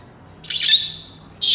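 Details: Senegal parrot letting out a drawn-out, scratchy high-pitched screech lasting nearly a second, tapering off, then a second sharp burst starting at the end.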